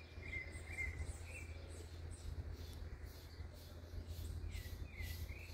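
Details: Rufous-browed peppershrike delivering a melodious whistled phrase of a few slurred notes, then a pause and another descending-rising whistle, with constant low-frequency background noise.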